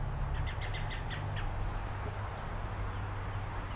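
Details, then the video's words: Rapid series of about seven clipped, bright notes from an American robin visiting a feeder in May 2021, recorded with a GoPro HERO8 Black, fading after a second, with constant low-pitched background hum throughout. "American Robin"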